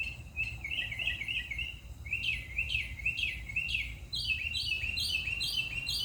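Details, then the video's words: Mockingbird song shifting between phrase types: quick chattered notes, then louder downslurred whistles, then higher rapid trills, each type repeated several times. "Sounds of our mockingbird"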